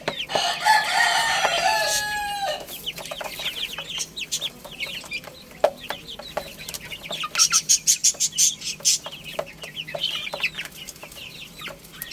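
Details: Baby chickens playing and eating, opening with a loud burst of overlapping shrill cheeping, then scattered high peeps and a run of rapid clicking pecks.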